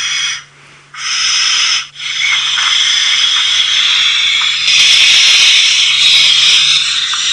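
Barn owl giving long, harsh, hissing screeches, rasping and breathy, broken by two brief pauses early on, with a faint low electrical hum beneath.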